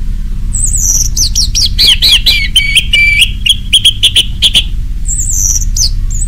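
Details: Lure song of an orange-headed thrush for caged birds: a long, varied stream of whistles and buzzy notes that settles into repeated level whistles with sharp ticks, bracketed by very high thin notes.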